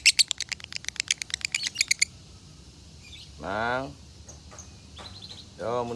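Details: Konslet-style lovebird from Salatiga, Indonesia, recorded as a training tutor, with an 8400-point score: two seconds of quick, high, repeated chirps, then a man talking, with a few faint chirps between his words.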